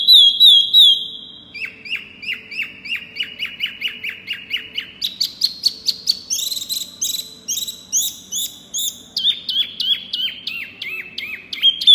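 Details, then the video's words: Loud, clear song of a small pygmy cupwing: a sustained high whistle, then long runs of rapid repeated chirps at shifting pitches, with stretches of high piercing notes and a quick return to whistled phrases. "Si Kecil Wambi Mini Gacor Suara Keras Lantang Jos"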